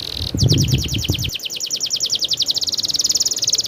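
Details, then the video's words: Canary delivering a rolling song: one long, even, rapid trill of high repeated notes, rattling steadily for over three seconds; a short low thump or knock at the start. "suara burung kenari ngerolll super gacor"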